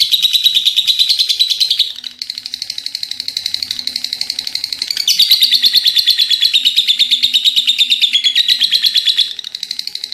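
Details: Lovebird's ngekek panjang, a long chattering call of rapid, rasping high notes in a continuous stream, briefly dipping in strength twice before resuming at full intensity.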